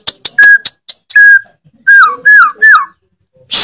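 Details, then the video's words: Loud, non-stop white-rumped shama song with fills: rapid ticking notes, long level whistles, then three drooping whistled notes in a row and a final burst of noise. "MURAI BATU GACOR FULL ISIAN TEMBAKAN KENCANG, KICAUAN YANG SANGAT MENGGAIRAH KAN MURAI BATU ISTIMEWA"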